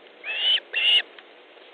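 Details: Osprey at its nest in Estonia, 3 August 2014 at 15:30, around a fish delivery; two clear whistled calls rising slightly, each under half a second, over a low steady hiss.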